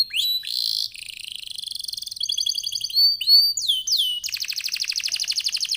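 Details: Canary in loud singing form, used as a lure song to get other canaries singing: fast trills, buzzy rolls and descending whistled notes changing every second, ending in a rapid repeated trill.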